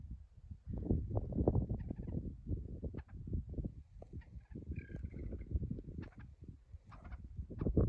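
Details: Ptarmigans stirring as they wake, a dense run of low guttural clucks and croaks with brief higher nasal notes breaking through near the end.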